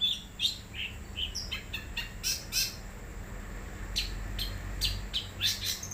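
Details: Wild long-tailed shrike singing: a loose string of short high chirps and harsh, scratchy broadband bursts at irregular intervals, with a few thin whistled notes, over a steady high hiss and faint low hum.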